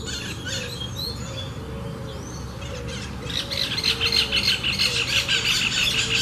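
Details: Caged Coleiro, the Double-collared Seedeater, singing: a rapid run of bright, high chirped notes repeated about three times a second, preceded by scattered softer twitters, over steady low background hum.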